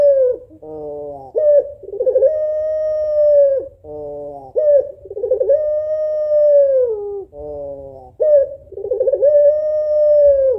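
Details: Three repeated phrases from a female African collared dove of the puter pelung type calling a male, each a nasal buzzy note followed by a pulsing lead-in and long, even, slowly falling coo.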